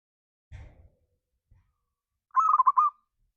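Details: A single loud, rapidly pulsed rolling coo from a local zebra dove, sung as a pancingan call to spur other doves into song, after a brief low rustling knock and near silence.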